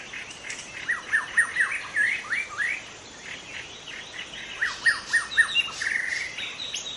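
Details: Young wild white-rumped shama singing in forest: varied phrases of clear whistled notes, a run of rapid descending slurs around the middle, brief pause, then another burst of repeated downslurred whistles and rising notes.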